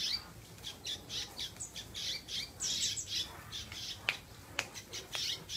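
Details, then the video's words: A kept canary sings a fast, continuous run of high, buzzy trills and chattering phrases, with a few sharp clicks near the end. "Suara Kicau Burung Kenari Gacor"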